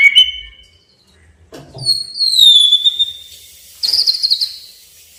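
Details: White-rumped shama song aimed at provoking a rival: a long thin high whistle with overtones, then a trilled high phrase, with a few soft low thumps in the background.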